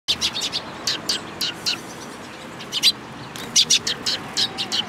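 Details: Eurasian tree sparrows at a Tenmangu shrine in Japan, 14 April 2022. They give short, bright chirps in loose bursts, about a dozen in five seconds. There is a quiet gap in the middle and faint background hum.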